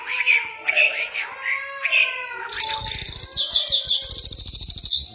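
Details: Mashadi lark from Iran singing: opening slurred whistles and warbles, some mimic-like and plaintive, then a rapid dry rattle of high clicking and chirping notes to the end.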